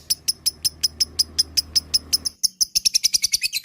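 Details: Lovebird luring song meant to provoke long ngekek chattering: sharp high clicking chirps repeated two to three times a second, speeding into a faster rattling run near the end, with a low hum that stops midway.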